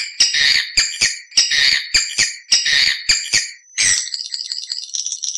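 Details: Swiftlet lure call used to draw birds to nest in a building: clusters of sharp, buzzy chirps in irregular bursts, then softer rapid high twittering fading toward the end.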